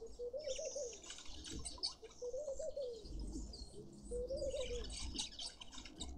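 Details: Coucal in a suburban garden in Pretoria, South Africa, gives three deep, mellow hooting phrases about two seconds apart while small birds chirp and twitter high above throughout.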